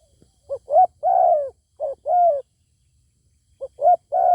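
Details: Zebra dove singing in answer to a wild bird with a fine voice that will not come down to fight: three phrases, each of quick clipped notes running into a drawn-out, gently arched coo. A faint low rumble sits underneath.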